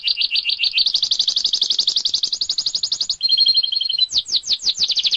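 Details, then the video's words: Canary master song for training other cage birds such as kacer, ijo and pleci, clear voice easy to copy: fast high trills of repeated notes, a steady buzzy roll, then a rapid twittering run of sharp chirps. "masteran kenari terbaik||cocok buat burung|kacer|ijo|pleci|suara jernih|mudah di ikuti.."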